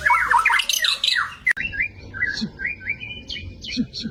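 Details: Murai batu, or white-rumped shama, singing its full-fill song: harsh squawking notes and downward sweeps, then a sharp click, followed by a string of slurred whistles and short high chips.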